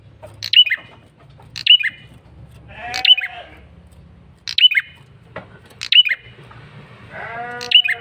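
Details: A male red-headed prinia gives repeated lure calls: piercing, high, falling double chirps at roughly one-second intervals, mixed with nasal, goat-like bleating notes and a steady low background drone.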